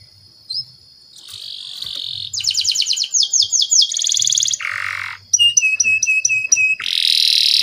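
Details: Canary lure song for teaching young canaries; a steady buzzy note, bright rolling trills, a lower buzz, then evenly spaced clipped whistles and a final harsh buzzy phrase.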